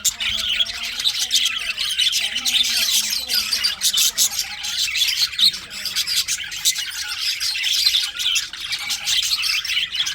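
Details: Budgerigars chirping in winter: a dense, continuous chatter of many overlapping high, rapid chirps, squawks and scratchy warbles with no pauses, the calls of several birds running together throughout.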